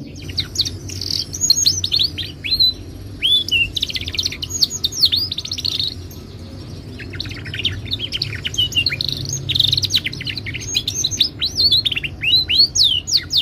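A Timbrado canary sings a continuous, varied song of bright rising and falling whistles and quick trills, with a steady low hum underneath.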